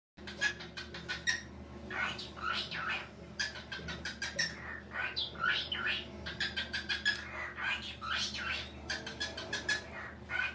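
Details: A talking cockatiel chatters almost without pause in quick, raspy, speech-like syllables mixed with short whistled notes, over a faint low hum.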